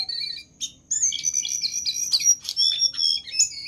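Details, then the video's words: Jongkangan master song: after a short pause, piercing drawn-out whistles mix with rapid chattering notes and clipped buzzy trills, lively and varied. "Burung Jongkangan Gacor dor"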